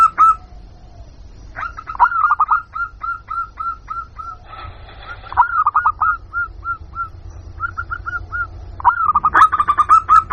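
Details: Local zebra dove lure call for wild birds: repeated phrases of rolling, evenly spaced coo notes over about ten seconds, with a louder, denser burst at the end.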